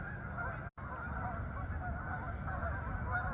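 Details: Geese bound for the fields in Farmington, Connecticut meadows: a short burst of mixed honks with a momentary dropout early on, set over low rumbling noise.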